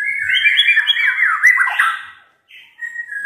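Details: Caged white-rumped shama kept at home, never entered in song contests, singing eagerly; a loud rich run of whistled and warbled notes sliding up and down, a brief pause, then a short whistled phrase.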